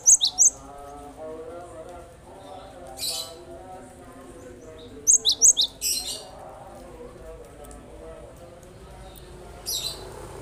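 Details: Used to coax silent birds into song, a Cinereous tit repeats groups of three to five piercing high chirps at irregular intervals of several seconds, with quiet stretches and a steady low hum between.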